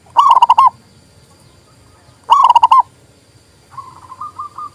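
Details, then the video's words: Zebra dove, a local bird whose voice is used to rouse doves that stop singing: two sharp, rapid cooing bursts about two seconds apart, followed by a quieter, faraway dove trill of evenly spaced notes. "TERAPI PERKUTUT MOGOK BUNYI PALING TOP"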